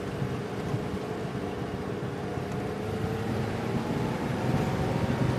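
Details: Rumbling engine and wind noise from a vehicle, with a low droning hum and no animal voices.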